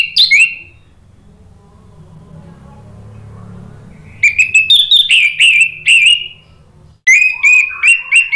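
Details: Indonesian orange-headed thrush, 'ngeplong' song meant to stimulate singing: an opening whistle, a quiet gap, then rapid bursts of clear whistled and chirping notes, a short pause, and a further run of steady whistles.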